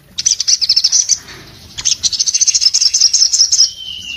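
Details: An orange-headed thrush sings two high, rapid twittering runs. The second ends in a drawn-out, slurred whistle that falls slightly in pitch.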